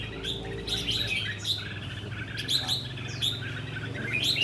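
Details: Red-whiskered bulbul kept in a tall square cage with four corner perches, giving rồ ché song: quick sharp chirps and rolling warbles repeated in clusters roughly every second, over a steady low hum.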